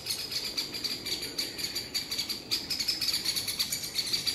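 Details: Alarmed great spotted woodpeckers, parents with nestlings, harassing a pine marten beside the nest in woodland: a rapid, uneven series of hard, ticking kik calls, several per second, over faint forest background.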